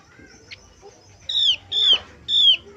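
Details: Male brown-chested jungle flycatcher lure song: after faint notes, three loud, clear downslurred whistles follow at regular half-second gaps, each gliding from high to lower pitch.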